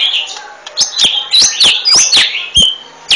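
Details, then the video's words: Golden-fronted leafbird repeating sharp, bright sweeping whistles and chirps, roughly four a second, in a lively run. "Golden fronted leafbird"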